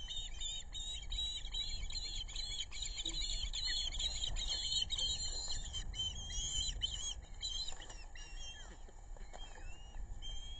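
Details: Webcam at a Rhode Island osprey nest on the Narrow River, 6 August 2022, adult female bringing fish to two chicks: dense overlapping high chirping calls for several seconds, fading into scattered single notes, over heavy low rumble.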